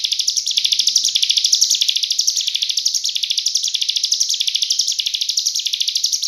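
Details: Cigun bird song in a dense 'full nembak rapat' style, a master recording used to train murai, kacer and cucak ijo birds: high, sharp chirps in an unbroken rapid trill, steady rhythm throughout, no other sounds.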